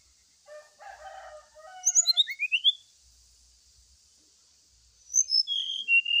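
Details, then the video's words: Lure song to make a brown-chested jungle flycatcher sing during morning dew exposure: a warbled, chattering phrase rising into a string of climbing whistles, a quiet gap, then another run of clear descending whistled notes. "PANCINGAN SRDC WAKTU DI EMBUNKAN"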